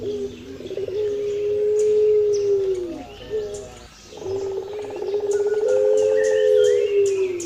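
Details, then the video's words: Eurasian collared dove, known in Indonesia as pelung puter: two long, smooth, hollow coos, each stretched over about two seconds, with a brief pause between, and scattered chirps from small birds in the background. "Burung pelung puter suara masteran"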